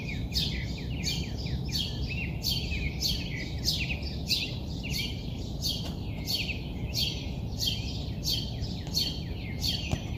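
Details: Rapid series of high descending chirps from a bird at early morning, repeated steadily around every half second for ten seconds, with continuous low traffic-like hum underneath.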